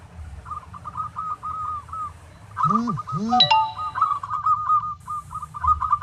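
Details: Local zebra dove song used to train other doves: rolling trilled coo phrases running throughout, briefly interrupted by two loud, nasal, honking calls and a metallic ding, over low background rumble.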